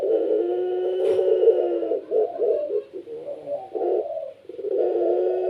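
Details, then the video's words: Pet puter pelung Barbary dove cooing vigorously to lure other doves into song: the tail of a long coo, then a run of short deep rolling coos of varying length, with a brief click near the start. "PUTER PELUNG SUARA GACOR||Bikin puter lain ikut bunyi."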